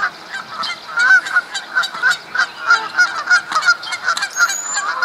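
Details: Several Canada geese calling at Duke Farms, New Jersey, in April 2015 during mating season as males fight for females; strong, nasal honks in a quick irregular series.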